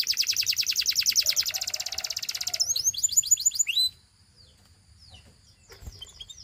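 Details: Gloster canary singing to coax other canaries into song: a rapid high rolling trill of about eight notes per second for over two seconds, then a run of sharp upswept whistled notes, ending in near silence with faint low background rumble.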